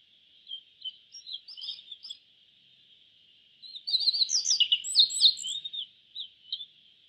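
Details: Yellow bunting singing a few scattered high chirps, then a denser burst of sharp, tumbling whistled notes midway, fading to sparse chirps, with a constant high hiss behind.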